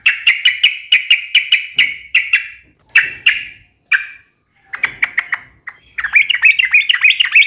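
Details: Sooty-headed bulbul performing 'uplik nembak ropel tajam' song: about ten rapid, evenly spaced sharp chips, sparser single notes, then a fast bubbling chatter to close.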